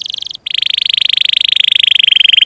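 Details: Canary singing a tutoring song for young and silent canaries: a short trill, a tiny break, then a long, steady, rapid roll held at one bright pitch.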